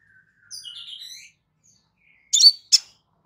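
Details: Crimson sunbird in a relaxed song meant for training birds: a soft, wavering high whistle is followed, after a pause, by two sharp, bright chirps.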